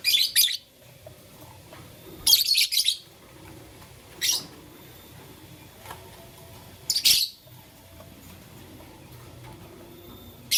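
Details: Blue, lutino and green lovebirds playing with a flower: short, harsh, high chirp bursts in four spaced clusters, each about half a second long, separated by quiet gaps, with a faint low background hum.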